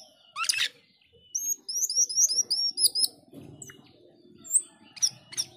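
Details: A singing male black-winged starling gives a harsh burst followed by a chain of rising, slurred high whistles, then scattered sharp notes over a low murmur of background noise.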